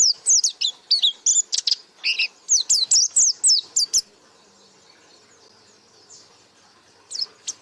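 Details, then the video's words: A white-eye pours out about four seconds of fast, high, sharp twittering notes, falls silent, then adds a brief final pair of chirps; gacor buka paruh singing. "Burung Pleci Gacor Buka Paruh"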